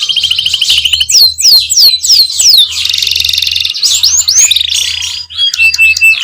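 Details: Canary in full gacor ngerol nembak song, loud and continuous: high slurred whistles and rapid buzzy rolls run together, with a dense chattering passage and piercing sweeping notes near the end, over a faint low hum.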